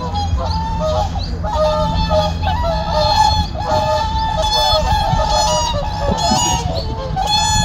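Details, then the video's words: Fighting whooper swans on a reservoir in winter, a returning group of five or six calling with nodding heads in the morning; bright, bugle-like honks in bursts over a steady low hum. "저수지에 울려 퍼지는 큰고니 함성,싸우는 큰고니"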